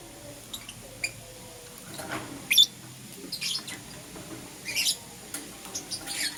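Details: Lovebirds, green opaline Euwing and lutino, kept as pets, chirping in the morning: irregular short, high, raspy chirps and squeaks, some in quick pairs, spread through quiet background noise.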